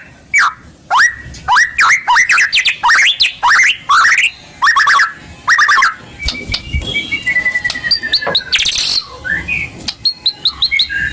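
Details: White-rumped shama lure song: a series of about a dozen loud, down-then-up slurred notes in quick succession, followed by softer, scattered whistles and a thin drawn-out tone.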